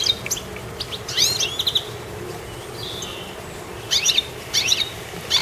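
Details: A goldfinch on a treetop gives bursts of high, tinkling chirps and short twitters, then falls quiet for about two seconds before another cluster of bright notes, ending with a sharp chirp; soft outdoor hiss underneath.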